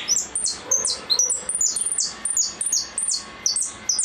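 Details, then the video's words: Goldfinch in repique song. Bright, very high notes, each dropping steeply in pitch, follow one another at about two and a half per second in an uneven rhythm. "Blanco de repique"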